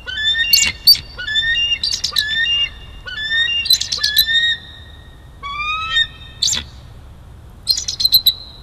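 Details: Bald eagles at Big Bear Valley on 12-5-22, where a juvenile steals lunch: repeated series of high, thin, whistled chirps and piping notes with rising and falling inflections, several bursts over eight seconds, with quiet pauses between.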